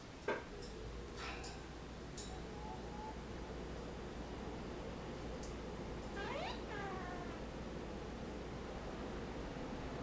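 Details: Ten-year-old female pet Senegal parrot hanging on her cage, talking, screaming and making kissing sounds. A few sharp short notes come early, then a rising harmonic squawk near six seconds with a stepped trailing series, over a faint steady indoor hum.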